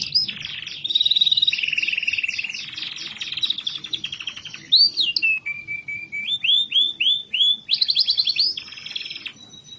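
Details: Canary song for stimulating lazy canaries to sing: long rattling trills, a rising sweep, a low steady tone, then looping upslurred notes and a fast high trill.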